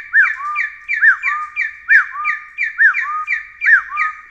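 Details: Taiwan partridge repeating a two-part call, an arched rising-and-falling note followed by a lower level whistle, about six times in four seconds, loud and regular.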